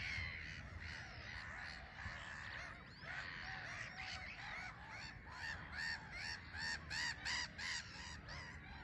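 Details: Black-headed gulls in a busy colony on a small island at RSPB Frampton Marsh, birds taking off and landing under a grey sky; harsh, rasping overlapping calls, with a run of loud, rhythmic, repeated squawks building toward the end.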